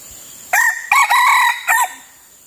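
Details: Loud red junglefowl crow while luring wild birds with a decoy: a short upward note, then a longer broken section and a sustained harsh tone, closing with a short dropping syllable, over a faint steady hiss.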